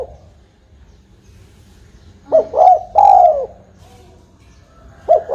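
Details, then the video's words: Spotted dove call for luring birds to a trap: after a quiet stretch, one phrase of a short note and two soft, rolling coos, then the start of another coo at the end. "Suara burung tekukur"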